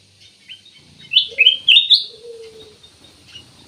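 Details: Ruby-throated bulbul: a short burst of bright, slurred chirps rising and falling in pitch, loudest near the middle, with a faint low steady hum underneath.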